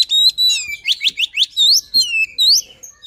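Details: White-rumped shama luring song, loud clear whistled notes in a fast series of rising sweeps, roughly eight strong syllables in three seconds.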